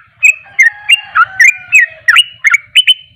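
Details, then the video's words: Sooty-headed bulbul in a long continuous song: bright chirpy notes near the upper-middle range, each with a quick rising or falling twist, about three per second in a loose rhythm, with a faint low rumble beneath. "Ropelan burung trucuk"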